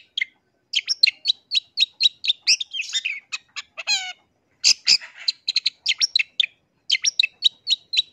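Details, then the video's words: Long-tailed shrike singing as a lure to provoke other shrikes: rapid, evenly repeated sharp chirps broken by a harsh descending rattle and a short buzzy burst, then more quick chirps. "Cendet LAIN gak bisa DIAM dengar SUARA Pancingan Pentet GACOR yang satu ini"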